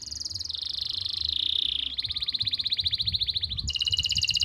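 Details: Canary master song from Pati, Central Java, to trigger singing in silent canaries: unbroken series of fast trills, each tour holding a steady pitch for about a second before stepping to another.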